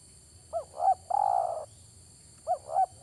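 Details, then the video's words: Spotted dove phrase for lure trapping: two short rising-falling coos, then an extended vibrating coo, with the next phrase starting right after a short pause. "mikat burung tekukur"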